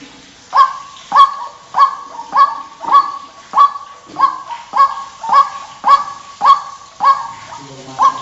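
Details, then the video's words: White-breasted waterhen, known locally as ruak-ruak, giving a loud, clear lure call used for bird trapping: harsh, nasal, honking notes repeated steadily about every half second, each note sharp at onset and fading. "SUARA BURUNG RUAK RUAK PIKAT PALING AMPUH"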